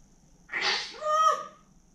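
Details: Grey parrot indoors giving a single harmonic, nasal call lasting about a second, with a rough breathy onset followed by a steadier tone that wavers and then drops off. A quiet room otherwise.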